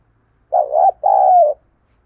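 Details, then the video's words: One spotted dove coo phrase, used to goad wild doves into fighting and calling back: a low, quavering first note, then a longer, smooth coo that falls slightly. The background is quiet. "Tiếng chim cu gáy thúc đấu cực đỉnh mở lên bổi và mồi gáy theo"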